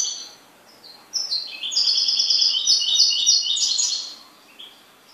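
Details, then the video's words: Pet goldfinch in full song: a fast, liquid twitter of high tinkling notes repeated several times a second, swelling for about three seconds before fading. "MI JILGUERO"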